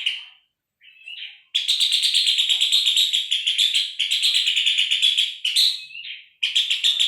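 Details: Song of a Puff-throated babbler, offered as tutor material for songbirds such as Long-tailed Shrike and White-rumped Shama: a few short introductory notes, then long bursts of quick, buzzy, repeated chattering notes, a brief pause, and a final rapid burst.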